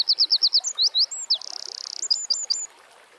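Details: Troglodytes troglodytes, the Eurasian wren, singing in nature: quick high repeated notes, a couple of upslurred whistles, a sustained rapid rattle, and a last flurry of sharp chips.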